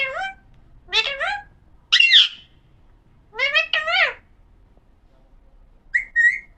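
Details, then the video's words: Talking pahadi parrot, the Alexandrine parakeet, giving a run of harsh rasping calls and a brief wavering whistle, with silent pauses between bursts. "pahadi parrot talking video"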